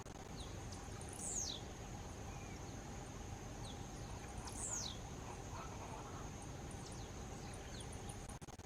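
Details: Blue-black grassquit (tiziu) song: two short, high, sharply descending buzzy notes about three seconds apart, over a steady high insect-like hum and low background noise.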